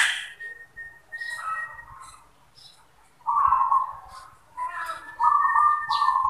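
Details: Perkutut or zebra dove in manggung song: a thin high note, then bursts of rapid trilled cooing repeated after a pause, in a quiet setting.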